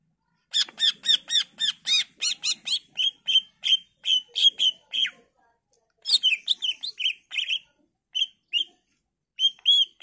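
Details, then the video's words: Greater green leafbird song offered as a lure to provoke rival leafbirds into answering: an opening run of fast, evenly repeated sharp notes, then clear whistled phrases and twittering bursts with brief gaps. "Cucak ijo gacor full isian Variasi Cocok buat Pancingan agar Cak ijo lain Nyaut dan Gacor"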